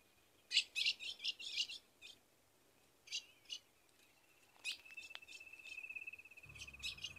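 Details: Female ultramarine grosbeak (azulão) calling to the male for mating, in the caatinga of Rio Grande do Norte, Brazil: a quick run of sharp high chips, then two more, with a long steady high tone running underneath later on.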